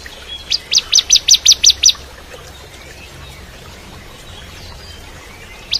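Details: Ciblek kristal, or bar-winged prinia, singing boldly as tutor song for magpie-robins. A fast run of about eight loud, sharp, evenly spaced notes over one and a half seconds, then quiet with one last note.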